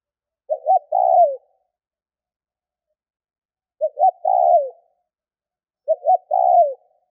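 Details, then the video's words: Spotted dove calling to prompt other doves into calling. Three cooing phrases with irregular gaps, each a quick double coo then a drawn-out descending note. No other sounds. "Tiếng cu gáy kích bổi nhanh gáy hiệu quả"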